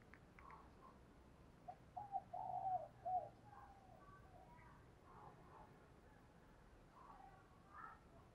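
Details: Decoy spotted dove calling and cooing to lure wild doves; a short run of low, mellow coos midway, somewhat blurred by steady background hiss, with fainter distant coos following.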